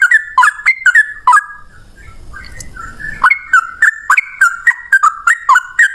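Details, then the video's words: Yellow-vented bulbul singing a rapid run of short, bubbly, chirping notes. The notes pause briefly partway through, then resume in a long, even series of bright chirps. "Burung trucukan gacor ropel 1 nafas panjang volume cucak rowo"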